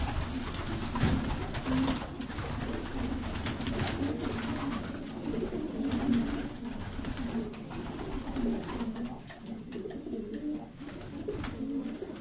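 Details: Pigeons in Turkey give low, murmuring coos again and again indoors, with rustling, clattering and room noise throughout.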